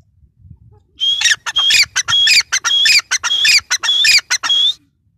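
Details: After a second of quiet, a grey francolin bursts into its rapid, repeating call: rasping clipped syllables interleaved with high thin whistled notes, delivered in a steady rhythm for nearly four seconds before stopping.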